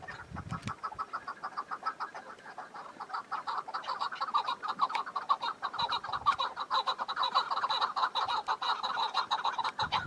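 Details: Chukar partridge in spring mountains with lingering snow, where partridge calls mix with other birds: rapid, hoarse chuk notes repeat about twice a second and grow louder and denser toward the end, with a short low thump at the start.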